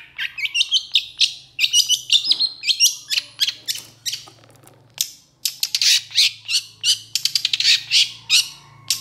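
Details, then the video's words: A cendet (long-tailed shrike) in full song, pouring out rapid, varied, harsh and squeaky phrases with rising whistles, a brief pause midway, then dense bursts of scratchy chatter. "3 MENIT PENTET AUTO GACOR❗️Cendet Gacor Emosi"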